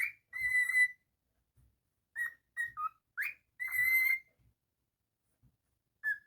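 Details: Pet cockatiel indoors giving long level whistles separated by short chirps and a rising slur, with quiet gaps and faint soft knocks in the background.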